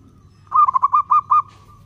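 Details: Zebra dove of local stock cooing to draw out other doves, one phrase of six quick pulsed notes at a steady low pitch, joined by a faint sustained tone, over soft background rumble.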